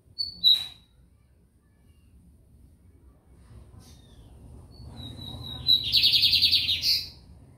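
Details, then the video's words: São Luís, Maranhão, Brazil: a bigodinho americano (Lined seedeater) sings two sharp whistles, pauses, then a string of falling whistled notes ending in an intense buzzy trill and a brief high flourish; soft low background noise. "BIGODINHO AMERICANO / 15 MINUTOS SÓ DE CANTO"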